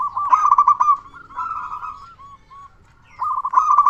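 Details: Local zebra dove with a loud voice, singing prolifically, used as a lure so other doves sing sooner: bursts of rapid looping coos near one pitch, a softer run of separate rounded notes between, then a renewed loud trill.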